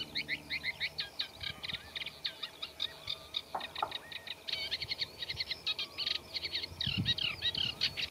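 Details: Eurasian reed warbler in a reed bed giving its scratchy, unmelodious song laced with mimicry of neighbouring birds; rapid grating chatter in long runs, a short lower note near the middle, faint low background hum.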